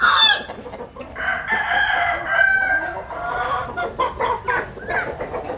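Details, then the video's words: Rooster sunbathing in the Mekong Delta region of Vietnam, crowing loudly and raggedly, with harsh broken notes over two seconds and continued rough calling afterwards. "Nghe Gà Gáy"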